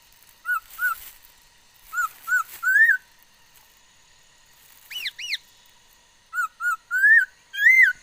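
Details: Female laughingthrush, said to make many sounds, singing on 13 August 2021; paired clear whistles and upslurred notes come in groups separated by pauses, with two arched chirps in between.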